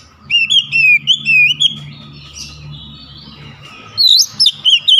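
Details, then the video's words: Singing oriental magpie-robin, beak wide open: a run of wavering, rising whistled phrases, a quiet gap, then a fresh burst of sharp high slurred notes; soft low rumble underneath. "KICAUAN KACER BUKA PARUH LEBAR TEMBAKAN PEDAS"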